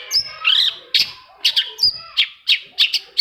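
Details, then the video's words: Long-tailed shrike singing to trigger song in other shrikes: a short series of harsh, buzzy chirps and one thin whistle, roughly three notes a second. "CENDET MACET SUSAH BUNYI PASTI NYAUT KETIKA MENDENGAR TOETAN BURUNG CENDET INI"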